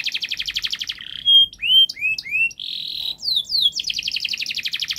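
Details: Canary pouring out fast gacor song to encourage young birds to sing: a quick stuttering trill, a pure held whistle, paired upslurred whistles, a buzzy roll, then downslurred sweeps leading into another rapid trill.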